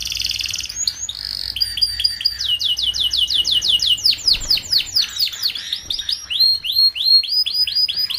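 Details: Song of a young canary, played as tutoring for groups of young canaries so they start singing sooner. Brief buzzy notes lead into a long fast series of repeated down-swept whistled notes, several per second, varying in tempo.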